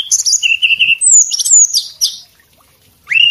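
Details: Male Javan whistling thrush singing a rapid run of high, sharp whistles, some sliding downward, then pausing and giving a single rising whistle.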